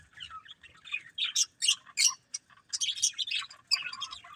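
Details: Budgerigars, a breeding pair kept as pets, chirping: rapid bursts of bright, scratchy twittering notes, some rising and falling, in quick uneven runs with short pauses between.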